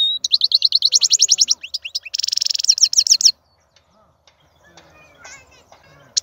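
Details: Wild European goldfinch, called the strongest singer among birds, pouring out long rapid trills of repeated high notes, including a dense buzzy rattle, before falling quiet with faint background sounds.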